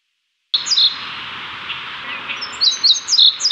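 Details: Indigo bunting, male song, Chicago, May 2023: high, sharp paired chirps, a few at the start and a quicker run near the end, over a steady background hiss; males and a female present.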